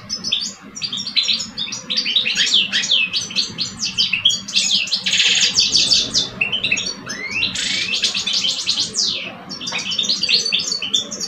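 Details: Vigorous song duel of two caged male European goldfinches from Algeria, one mature and one two years old: dense cascading twitters, rasping buzzes and a long rising slurred trill, almost without pause.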